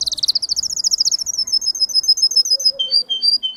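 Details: Singer canary singing a quick, bright trill of evenly repeated notes that slows into spaced, clear whistled pips, some stepping lower toward the end.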